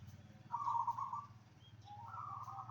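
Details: Zebra dove calling to prompt replies from others: a purring, trilled coo, then after a pause a rising, longer rolling phrase, over a constant low hum.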